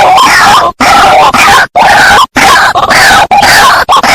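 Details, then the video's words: White-breasted waterhen lure sound: raucous, buzzy, scraping calls in bursts of about half a second to a second, separated by short silent breaks. "Suara Pikat Burung Ruak Ruak"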